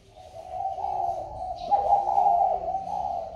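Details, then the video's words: Boxed spotted dove right after being bought, cooing normally: one long, low, husky drawn-out coo lasting about three seconds, swelling slightly midway, against a quiet indoor background. "khách mua xong chim cho vào hộp vẫn trơi như thường"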